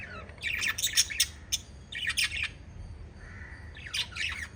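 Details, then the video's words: A group of five lovebirds fluttering and chirping: quick clusters of bright, high, squeaky chirps in bursts separated by short pauses, with one softer, steady, slightly lower note in between. "Five Little Lovebirds Chirping Sounds"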